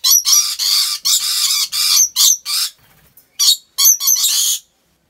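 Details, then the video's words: At Aceh Besar's Gurun Putih Lestari wildlife park, rainbow lorikeets screech in a near-steady stream of harsh, buzzy bursts, a brief pause, then clipped shrieks and one longer rasp. "Rainbow Lorikeet Sounds"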